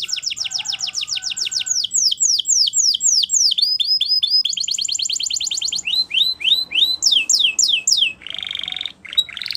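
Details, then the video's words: Singing Spanish Timbrado canary delivering varied tours: fast descending slurred notes, clipped metallic rolls, a stretch of rising chips, then a buzzy dense trill near the end, with faint background hiss. "Timbrado Canary Singing"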